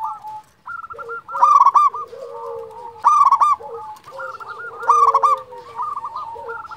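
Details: Local zebra dove, a champion singer, calling: three loud bursts of quick, bubbling staccato coos, spaced roughly every one and a half seconds, over continuous quieter cooing from further doves.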